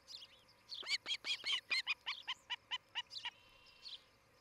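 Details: Osprey of a pair at a nest in Charlo, Montana, 11 July 2018: an uneven, loud cluster of shrill chirps that settles into softer, regular cheeps and then dies away, with a faint call near the end.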